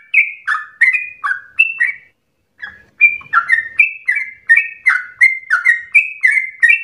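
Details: Sooty-headed bulbul giving fast, emotional song to stimulate singing and serve as a tutor: a burst of downslurred whistles, a half-second pause, then a longer quick run of alternating high and low notes.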